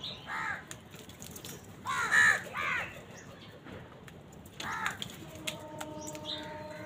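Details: Crows squabbling with wild birds over food give a run of harsh, nasal caws early on, a louder cluster around two seconds, and one more caw later against a steady outdoor background hum.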